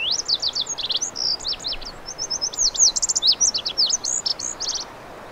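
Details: Lazuli bunting song from western North America: a rapid jumble of high, sharp, varied notes, chirps and slurred upsweeps mixed with quick paired phrases, running about five seconds without pause against a quiet background.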